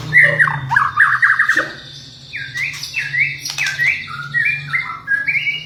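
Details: White-rumped shama, a champion singer used to stimulate other shamas: fast trilled series followed by short rising whistled notes repeated in a loose rhythm, with a low hum beneath.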